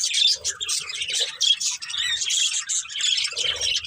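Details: Budgerigars in a breeding pair's family give steady, busy high-pitched warbling chatter with squeaky chirps throughout, plus a few soft lower notes.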